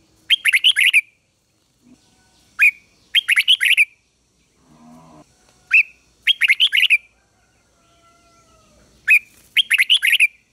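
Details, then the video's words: Red-whiskered bulbul decoy calling rivals to fight: three clipped, chattering phrases of rapid bright notes, each under a second, separated by quiet gaps with brief single chirps between. A soft low noise in the middle. "Chào Mào Mồi Hót Gọi Bổi Về Đấu"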